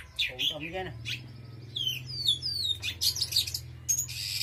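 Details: Oriental magpie-robin singing strongly, with sweet descending whistles and a cluster of bright high notes over a steady low electrical hum; a brief low voice-like sound opens the recording.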